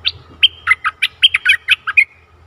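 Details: Bulbul kept as a decoy to draw in a wild bird, recorded 11 August 2021, pours out a lively phrase of about twelve bright, gurgling notes, evenly spaced and quick, ending in a short trailing whistle.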